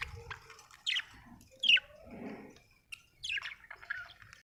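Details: A happy budgie chirps in short bursts: several quick, bright, downward-sweeping tweets and a few harsher squawky notes, separated by softer low murmuring sounds and brief silences.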